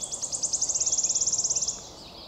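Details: A wood warbler, singing on 22 May 2023, gives a high, dry trill of about twenty notes that speeds into a shivering, sibilant run before stopping, over faint hiss.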